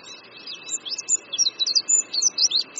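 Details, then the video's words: Oriental white-eye singing from a branch above a creek at Qingdao University in Qingdao, Shandong, China, in spring: a rapid tumbling twitter of high thin slurred notes, each note rising or falling, delivered in an unbroken run. "Oriental White-eye Singing"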